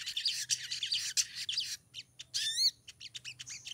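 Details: Female crimson sunbird in breeding condition attracting a male: rapid high chattering twitters, then a run of clean whistled notes sliding downward, followed by quick sharp high chips over a faint low hum.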